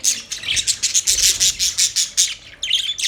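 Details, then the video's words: Rapid, pulsed budgerigar chirps about two and a half per second, bright and raspy, ending in a quick jumbled flurry of higher twittering. "Budgies chirping sounds"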